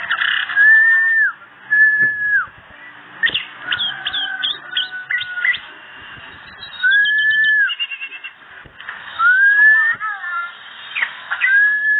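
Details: Orange-headed thrush singing energetically and without pause. The song is a run of clear, slurred whistles that rise and fall, broken by bursts of rapid, sharp, high chattering notes and short trills. Phrases vary, with brief gaps between them.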